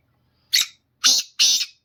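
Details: Black francolin song, a short phrase of three coarse, scratchy notes. A brief lead note is followed by two longer buzzy ones in quick succession against a quiet background.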